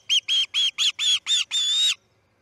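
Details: Osprey at the Charlo nest at dawn on 10 August 2018 when chick C6 fledges: six loud whistled chirps followed by one longer drawn-out whistle, clear and close.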